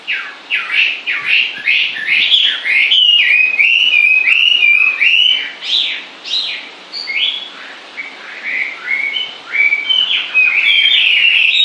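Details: A bird sings at length, pouring out rapid chirps and looping whistled phrases in bursts separated by brief dips, with varied pitch throughout.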